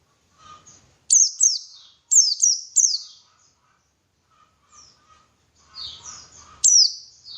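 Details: White-eye song played as a lure to make other white-eyes sing actively: loud, very high, sharply falling chirps in bursts of two or three, with softer thin notes and quiet gaps between.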